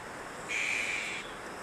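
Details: Azure-winged magpie nestling being reared at Maeji-ri, Wonju, Korea, gives a single thin, steady, high-pitched begging whine lasting under a second, over a constant background hiss.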